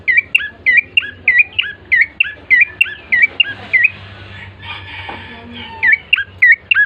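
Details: Bar-winged prinia song meant to lure birds into singing: a rapid, regular run of sharp curling chirps, a short noisy break, then a few more chirps.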